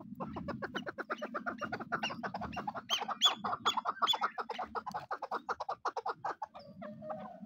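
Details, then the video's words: Chukar partridge pair calling together, a fast, dense series of clipped chuck notes that grows louder and busier in the middle, then thins into spaced notes, with a low background hum. "Chakor pair sound"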